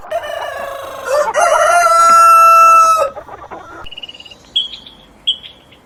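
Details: Chicken crowing: a rooster gives one loud, drawn-out cock-a-doodle-doo held steady for about three seconds, followed by quieter short high peeping calls.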